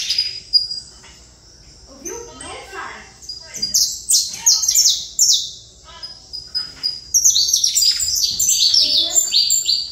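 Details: Quiet opening with soft low chirps, then a saffron finch breaks into rapid high descending notes that grow into a dense, continuous run.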